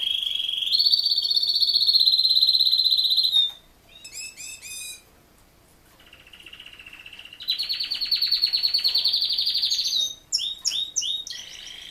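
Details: Male Raza Española canary, kept for type rather than voice, sings two long loud sustained rolls separated by rapid pulsed notes and a short pause, with quick chopped notes after the second roll.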